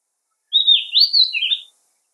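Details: Oriental magpie-robin giving a single short, clear whistled phrase of smooth sliding notes that rises slightly and then drops at the end, in an otherwise silent setting.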